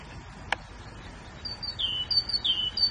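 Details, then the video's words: Singing grey bulbul: after a sharp click, two high whistles drop in pitch and flatten out, each preceded by faint thin notes. "بلبل الرصد الرمادي"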